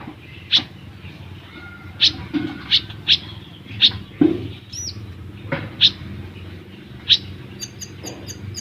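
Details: ['Olive-backed sunbird in lively tembakan mode, used as a master for caged birds: irregular loud, piercing chips with a short, very high rapid trill at the end over a low background hum.']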